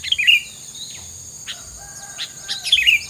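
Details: Bird song used as filler material, with short bright chirps and quick sweeping whistled notes, a loud burst at the start and another near the end, over a steady high background hiss.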